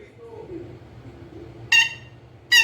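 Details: Pet green ringneck parrot giving two short, harsh, buzzy squawks late on, separated by a quiet indoor pause with faint low background hum.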